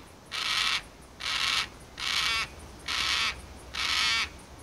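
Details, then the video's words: Carnaby's black-cockatoo (Calyptorhynchus latirostris) gives five harsh, wailing, rasping calls, each under half a second, repeated about once a second against a quiet background. "Carnaby's Black-Cockatoo (Calyptorhynchus latirostris) Calling"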